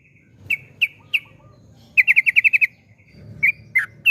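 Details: Yellow-vented bulbul singing in the 'gacor ropel panjang' style meant to make other bulbuls sing: three spaced sharp chirps, a quick burst of seven trilled notes, then scattered whistles over a soft low rumble.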